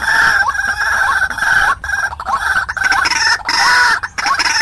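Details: White-breasted waterhen lure call for trapping wild birds: steady, loud, harmonic croaks with small upward flicks, repeated in clustered bursts broken by brief pauses.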